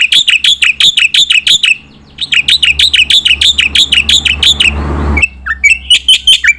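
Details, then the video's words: Black-winged myna in full, rapid song with fill-in phrases, used to train competition birds: fast bursts of sharp, high chirps repeated about three times a second, a short pause, then a hissing rush before the chirping resumes. "jalak putih gacor full nembak isian untuk masteran burung lomba"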